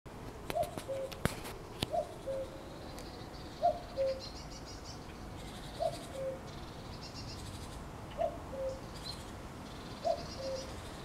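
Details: In May, a cuckoo repeats its low, falling two-note 'cu-ckoo' six times, about every two seconds, while small birds chirp and twitter higher in the background.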